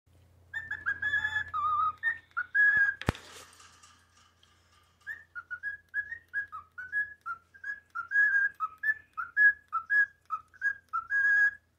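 A cockatiel whistles a learned tune in clear, rising and falling notes, with a sharp click early on.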